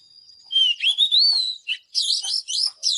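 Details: Oriental magpie-robin singing: a steady high whistle gives way to a looping, rising-and-falling whistled phrase, then bursts of bright, scratchy high notes.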